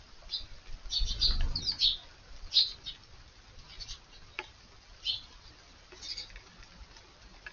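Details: Eurasian tree sparrows in a garden on the morning of Children's Day, 5 May; high chick-like chirps are taken as young birds and lower harsher ones as adults. Short bright chirps come in scattered bursts, with soft thumping underneath.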